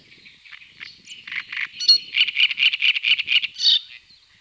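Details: Great crested grebe with chicks at Tovačov fishponds, Czech Republic, 2013–2014: high thin peeping notes run into a rapid, even series of sharp squeaky pulses, then fade.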